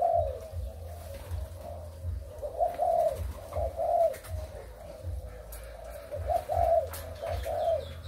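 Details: Spotted doves in breeding condition, from Malaysia and Thailand, recorded 23 August 2021, giving soft low repeated coos in short phrases over a noisy background.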